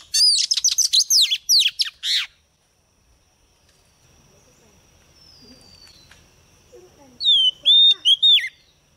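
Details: White-rumped shama female used as a lure: a rapid burst of sharp slurred notes, a long quiet gap with faint background, then a few clear whistled notes near the end.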